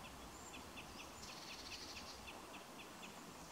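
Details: A crossbill at Cannock Chase on 3 December 2021 gives a run of sharp, metallic chip notes, about three per second, faint against a steady outdoor hiss, with a thin high whistle early on.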